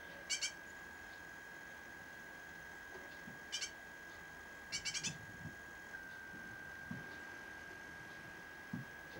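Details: A rescued fledgling great tit gives a few short, harsh, rasping bursts, one quick double near the middle, over a steady high electrical whine and quiet room noise.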